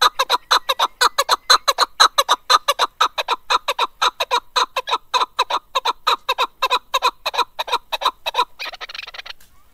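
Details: Chukar partridge male singing in 2021: a sustained rhythmic chant of throaty chuk-chuk notes repeated steadily for about eight seconds, ending abruptly with a short burst of noise.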